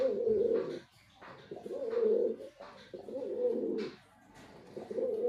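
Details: Throaty rolling coos from a white male pigeon, delivered in steady phrases of about one second separated by short silences.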